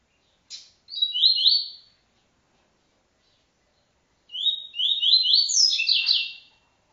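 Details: TuiTui style song of a double-collared seedeater, an encarte recording: two bright phrases built from fast repeated downslurred whistles, the second longer and richer with added higher notes, silence between them.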